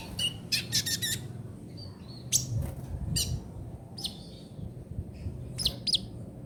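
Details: Trotol song of a ninja sunbird, used for tutoring songbirds: clusters of sharp, very high ticking notes and brief squeaky phrases separated by short gaps, with a low hum underneath.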